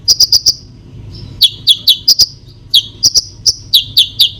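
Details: Konin song used to stir other birds: clusters of piercing high chips alternating with downward-sliding notes, delivered in fast rhythmic runs with brief gaps, over a quiet low hum.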